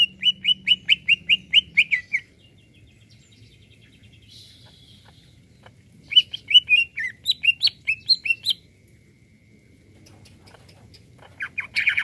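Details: Greater green leafbird singing to stir up other birds: a steady run of nine identical whistled notes, then a varied phrase of rising and falling whistles, with a brief harsh burst at the end.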